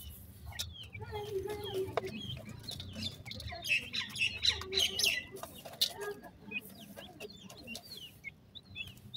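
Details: A pair of black francolin (Sindhi partridge) chicks calling in quick, thin, high cheeps, irregular and overlapping, with a busier burst midway and a background hum and knocking.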